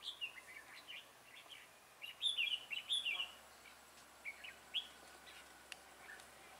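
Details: Red-whiskered bulbul singing at a trapping session on 26 October 2017: short, bright whistled and warbled notes in quick bursts, loudest around the middle, separated by brief pauses over a faint steady hiss.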